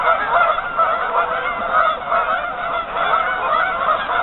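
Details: Numerous geese gathered on a lake partly covered in ice, honking in a thick, pulsing chorus of nasal calls that swells and eases.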